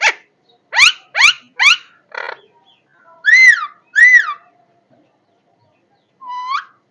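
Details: Parrot giving a run of three sharp rasping squawks, a softer buzzy note, then two loud arched whistles and one last rising whistle after a pause.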